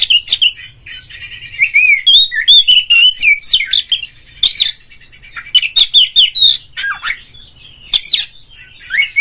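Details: Lure song of an Oriental magpie-robin, meant to rouse a rival caged bird to sing and spread its tail: a continuous, varied run of bright whistles, chirps and quick slurred notes in lively bursts.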